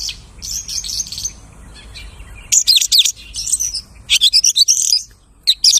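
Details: Scratchy high twittering from a mimicking lark, giving way to bursts of rapid clicking chatter and a few sharp notes at the end.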